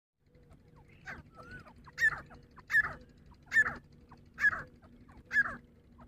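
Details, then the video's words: A female Grey Francolin in a fight gives loud, harsh, rising calls, five of them about every 0.8 seconds, over a faint low hum. "grey francolin voice🔥 dhakni teetar ki awaz 🔥dhakni teetar Ki ladai🔥 Awaaz female ki ladai"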